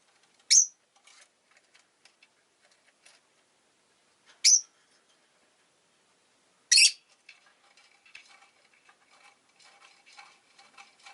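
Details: Rosy-faced lovebird giving loud, shrill, downward-sweeping chirps about every two to four seconds, followed by soft scattered chatter and clicks.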